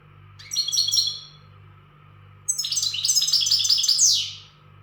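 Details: Readiness song of an untutored goldfinch from the Gharb: a short twittering phrase, a pause, then a longer, vigorous run of high liquid chirps and buzzes closing with a downward slur, over a low pulsing hum.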